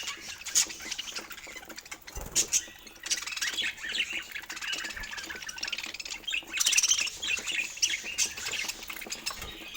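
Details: Pet budgerigars during fruit feeding give softer, intermittent chirping and squawking, with a louder burst of dense chatter midway and occasional clicks and knocks.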